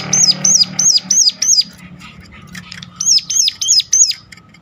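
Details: Sunda warbler giving a sharp call meant to provoke other warblers into singing: high, hooked notes repeated about three per second in two bursts separated by a pause with faint background chatter.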